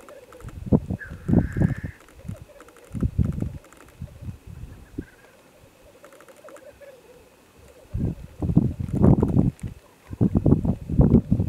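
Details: Black grouse (Lyrurus tetrix) at a site in mid-Wales, February 2018, very early on a gloomy morning; low bubbling bursts come in groups with pauses between, over a steady distant murmuring chorus, with a brief higher hiss near the start.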